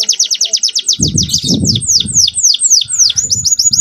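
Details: Young canary singing loudly, used as a tutor song for young canaries and to bring female canaries into breeding condition. Fast trills of high whistled notes sweep downward, roughly eight a second, and shift phrase type midway. Low thumping noise bursts sit underneath.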